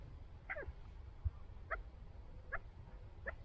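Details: Kept chukar partridges, described as the owners' own birds, giving four short clear calls spaced about a second apart, each a bright note with a sharp downward sweep, over low rumbling background noise.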